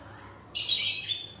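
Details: A single rasping, high screech lasting about three quarters of a second from a grey parrot of a breeder pair, breaking in sharply after near silence.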